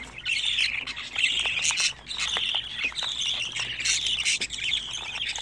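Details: Young budgerigars, 25 days old, produce a steady stream of shrill, grating squawks. Bursts of sharper chirps break up the constant chatter.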